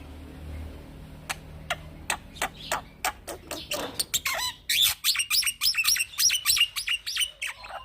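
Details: Young black-winged myna singing steadily in rolling style, used to train other birds. Clipped, evenly spaced chips speed up into a fast, dense run of high whistles and harsh chatter, roughly three notes a second.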